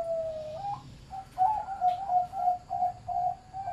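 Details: Medium-voiced Zebra dove, farm-bred, opening with a drawn-out note then a quick string of short, rhythmic cooing notes at an even pitch, repeated roughly three times a second.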